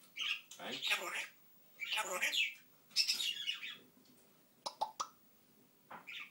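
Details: African grey parrot talking: a run of speech-like bursts with hoarse, breathy syllables, some high whistled squeaks, then two sharp clicks near the end and a short final phrase.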